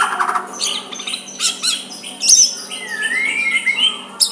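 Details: A white-rumped shama's soft, rival-provoking song: clipped high chirps and downward flicks, then a long sliding whistle rising and falling over about a second, ending with a sharp high note.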